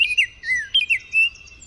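Baltimore Oriole singing a short phrase of sweet, clear whistled notes, rich and melodic, that rise and fall, ending after a few notes.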